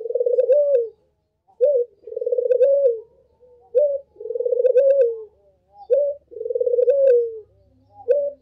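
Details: A dove, used as a lure to get other doves calling, gives low, rolling coos, each a long purring note closed by a short rising one, repeated about every two seconds.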